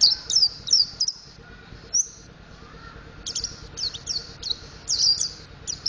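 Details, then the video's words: Mountain white-eye learning ngriwik and ngeplong singing: rapid clusters of high, thin, downslurred chirps, a pause, then a livelier run of quick twittering notes, over a continuous low hum. "Burung Pleci Montanus Belajar Ngriwik Ngeplong"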